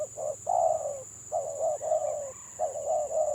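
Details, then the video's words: Spotted dove, gagap (stutter) singer, giving long, smooth coos broken by quick clipped notes. The phrases run almost continuously over a persistent thin high whine. "BURUNG TEKUKUR GAGAP VS GAGAP"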